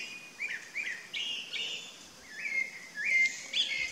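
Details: Chalk-browed mockingbird delivering a rapid run of short whistled and slurred notes, several rising then dropping, some brighter and higher near the end; faint background noise.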